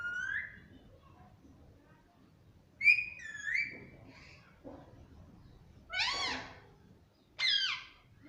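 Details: A pet Alexandrine parakeet gives about five loud calls, some clear rising whistles and others harsh, grating screeches, with pauses between; the background is otherwise quiet.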